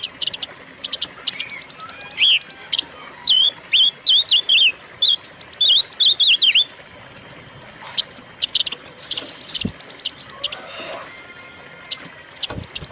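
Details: Silver-eared mesia song used as a lure and training recording for caged birds: a run of clear whistled notes rising and falling near the middle, with scattered sharp ticks and clicks before and after, over a steady background hiss.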